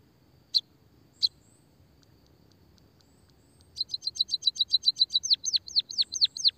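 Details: Munia (pipit, emprit kaji), recorded as a lure and therapy for caged munias, the white-headed type. Two short isolated chirps, a pause, then a fast run of high clipped notes becoming sharply down-slurred whistles, repeated quickly to the end.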